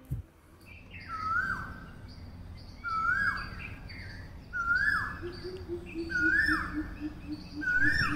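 Asian koel giving five loud, clear whistled notes with a swooping pitch, about one every one and a half seconds, over a low steady hum and faint background noise.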